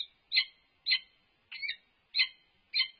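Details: Peregrine falcon at a nest box, an unknown male interacting with the resident female from on top of the box: loud harsh chirping calls, repeated about twice a second, some with a slurred double note.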